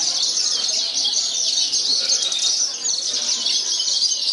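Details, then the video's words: Contest song of a parva-type Javan bush lark that won first place despite strong wind. Steady stream of high, scratchy chirps and quick trills runs without a break. "BRANJANGAN PARVA"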